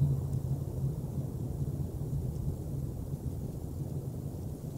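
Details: Heavy low-pitched wind roar and microphone buffeting at an eagle nest in early March 2019, steady throughout without any bird voices.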